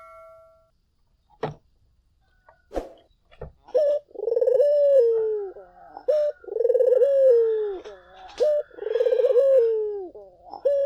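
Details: Lure song of a vigorously singing collared dove meant to draw answers from other doves: a few scattered clicks and knocks first, then repeated phrases of a short note and a long vibrating, descending coo.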